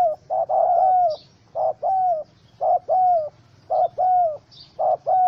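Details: Angry spotted dove, wild bird caught in a rope trap on 04/07/2017, utters short-long coo pairs about once a second, the longer notes arched and falling, with faint high chirps above.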